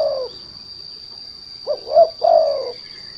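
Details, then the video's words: Spotted dove lure recording for drawing other doves to sing: the tail of one coo, then a single phrase of two quick rising notes and a drawn-out, descending final coo, with a constant high-pitched hum behind. "The Sound of Lure Derkuku Lure"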